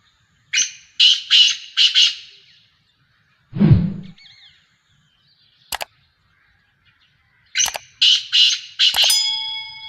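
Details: Black francolin, called kala teetar, a Sheedi cross Nasal speeder bird, gives two series of four rasping, grating notes, separated by a dull thump and sharp metallic clinks, the second series ending with a ringing clang.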